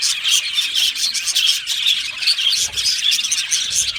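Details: Australian budgerigars chirping and singing in an aviary colony: pulsing high chatter with repeated brief whistled notes and a few harsher squawks, plus faint low thumps.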